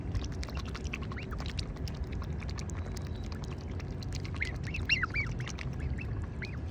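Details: Black swan pair and their cygnet eating sweet corn kernels near Surfers Paradise beach, Gold Coast, Queensland, Australia: noisy dabbling and slurping in water, with thin, high, rising peeps toward the end.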